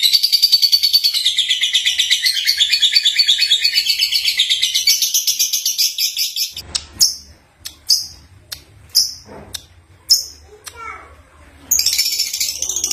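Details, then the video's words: A young lovebird (Agapornis) chatters in fast, dense, high scratchy twitters, then gives sharp separate chirps about one per second before the chatter returns; its voice is said to be good for luring other young lovebirds. "Lovebird Singing & Chirping Sound | Young Lovebird Agapornis Singing"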